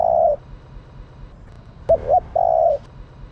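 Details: Hen spotted dove calling to rouse males. The tail of one long coo is followed by a pause, then a quick double hoot and another steady, drawn-out coo.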